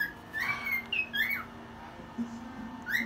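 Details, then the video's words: Cockatiel singing late at night, around one in the morning, delivers a few clear whistled notes, a long level tone then short rising slurs, with a low hum and a quieter gap before a final upward whistle. "Bird singing"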